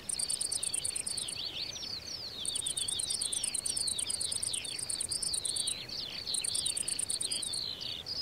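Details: Unbroken high-pitched skylark song: fast tumbling twitters and descending slurred trills pour out nonstop, with a bright pulsing cricket-like chorus above and little low-frequency noise.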